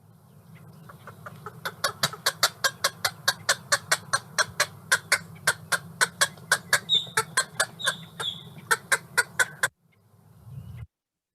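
Green heron giving a fast, even series of about thirty dry, clucking kuk notes, roughly four per second, over a low hum with faint thin whistles midway.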